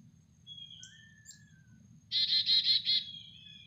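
A chickadee gives a few thin, high whistled notes, then a harsh buzzy burst of rapid dee notes lasting about a second, over a low background rumble.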